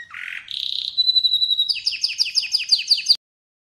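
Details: Atlantic canary song for relaxation: a low harsh buzzy opening rises into a steady pure whistle, then breaks into a rhythmic series of quick down-slurred chips before stopping abruptly into silence.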